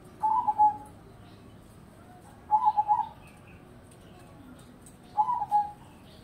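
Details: Crossbred zebra dove (perkutut) in full song across the day: three bubbling, trilled coo phrases, each under a second long, repeated roughly every two and a half seconds against low steady hiss.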